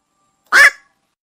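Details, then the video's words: Night heron giving a single harsh, hoarse squawk lasting about a quarter second, with no other sounds around it. "নতুন বাকচু পাখির ডাক 2024 / বাকচো পাখির /New Night Hiron Bird / Bukcu pakir duk"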